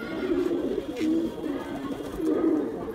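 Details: Male pigeon making its attacking sound: low, throaty cooing phrases, with a gliding coo near one second and another rolling burst toward the end, in a small indoor space.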